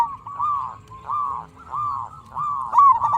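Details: Local zebra dove in eager song, used to stir other zebra doves to reply. Four drawn-out, arched coos follow one another roughly every 0.7 seconds. The last is slightly sharper, over faint low background noise.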